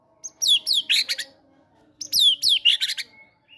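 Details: Caged fighter-type white-rumped shama singing energetically with great tit mimicry material, used to prompt other caged shamas to sing: two bursts of quick, high, downslurred whistles and chattering notes, each under a second, separated by a pause, over a faint hum.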